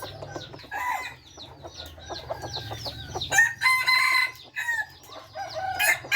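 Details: A red junglefowl of the F3 generation gives a harsh, broken crow near the middle. It is set among scattered high chirps, a steady whistled tone and a low hum underneath.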